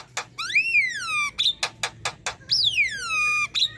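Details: Black-winged myna song for training other birds: long, loud slurred whistles arching up and down, separated by short harsh bursts.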